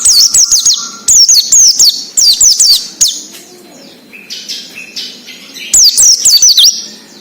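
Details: Wild ngalas song of an Oriental white-eye, a lure for captive birds to copy: dense, repeated phrases of very high descending whistles in quick succession, a softer buzzy passage in the middle, then another bright burst.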